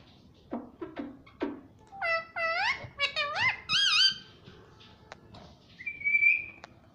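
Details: Talking pet parrot that says "mummy papa": three short lower squawks, then a quick string of rich, voiced syllables that rise and fall like words, with a thin whistle near the end in a quiet room.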